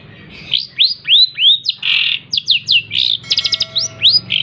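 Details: Pet long-tailed shrike raised by hand and trained with mp3 playback, delivering a dense mimicking medley of upward-sweeping whistles, raspy buzzes and rapid clicking trills with barely a pause between phrases.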